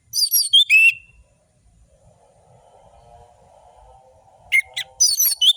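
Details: Lively orange-headed thrush song intended to coax lazy birds into singing: quick, high whistled phrases with slurred ends, a gap filled by a steady low electrical hum, then more rapid sharp notes.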